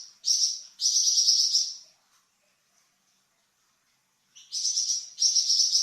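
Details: A Flamboyan bird, a songbird kept for training cucak ijo and magpie robin, gives two high buzzing trills. A silence of over two seconds follows, then two more quick sizzling trill phrases.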